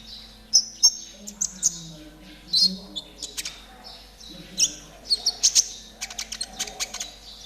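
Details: ['Konin in trotol style, played as a tutor and therapy recording so caged birds start singing quickly. High, sharp chirps and short whistled notes come in irregular bursts over a low steady hum.']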